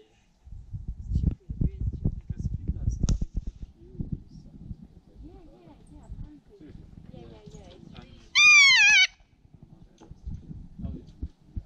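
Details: Kea at Ball Hut in Mt Cook National Park, New Zealand, March 2019: one loud, harsh, wailing screech lasting about half a second, slightly bending downward, heard after people talking nearby.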